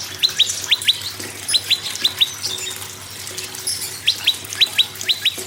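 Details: Prinia song, the birds known locally as moss prinia and red-headed prinia, played to prompt other birds to sing: clusters of two or three sharp descending chips, repeated in rapid bursts over a steady background of running-water-like hiss.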